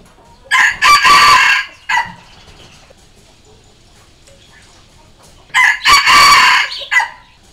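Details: Red junglefowl crowing twice, about five seconds apart, as a decoy to call and challenge wild junglefowl, which answer. Each crow has a short lead note, a long harmonic middle phrase and a short ending note. Quiet background.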